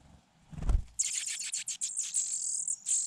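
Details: A low thump, then four Fujian niltava nestlings in a grassy hidden nest burst into intense high-pitched begging, a dense sizzling chorus of squeaks as they are fed.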